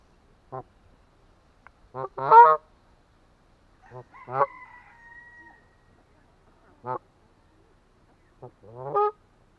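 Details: Canada goose with its deep honking: short nasal calls alternating with longer harsh, rising honks, and a thin drawn-out high squeal after the fourth second, with silence between calls.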